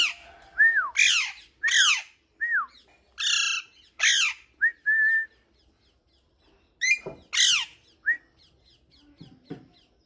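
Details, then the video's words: Busy parrot vocalising: rapid alternation of falling whistled slurs and loud harsh squawks, about ten sounds in five seconds, a pause, then more squawks and a short whistle. "Parrot whistling full enjoyment"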